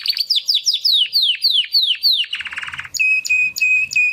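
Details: Young male Timbrado canaries, two brothers bred in 2020, practising song after their first molt; a series of quick downward-slurred whistles, a short buzzy roll, then evenly repeated clear whistled notes.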